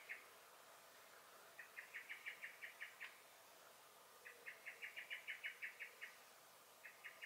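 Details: Common blackbird alarm calls in a May garden, 23 May 2021: three rattling series of clipped, repeated notes, each building a little in loudness, with short gaps between and soft background hiss.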